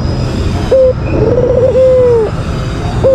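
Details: White albino Barbary dove's provoking lure call: a single rolling coo with a long falling final note, slightly masked by low rumbling noise and a faint whine, with a short note starting again at the end.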